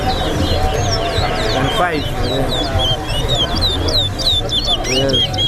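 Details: Towa-towa seed finch singing in a bird race competition at a bird ground. It gives quick, high, slurred whistles and trills repeated throughout, under loud crowd chatter, a man's voice and background music.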